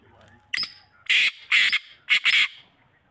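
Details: Black francolin calling: a short harsh note followed by three loud, grating, buzzy bursts in quick succession, all within about two seconds, with faint low noise underneath.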